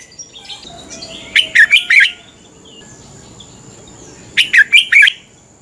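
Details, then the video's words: Red-whiskered bulbul in morning training for fighting song, a kept bird, delivering two bright warbling phrases of four rapid slurred notes, about three seconds apart, over a low steady background hiss. "Luyện chào mào hót sáng. chào mào hót đấu"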